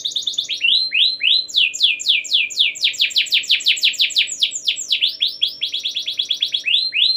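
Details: Canary in long continuous song, played to prompt other canaries to sing: fast series of high, sharply down-slurred whistled notes, rolling into quicker clusters, with a steady low electrical hum beneath.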